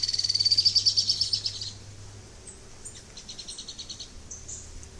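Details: Sharp-billed treehunter singing a rapid, even, high-pitched trill of sibilant notes for under two seconds. It fades out and is followed by faint scattered high notes and a soft hum.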